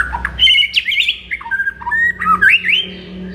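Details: Morning song of a white-rumped shama, meant to excite a kept bird: busy run of fluty whistles and chattery slurs, with notes jumping up and down in pitch, over a faint steady hum.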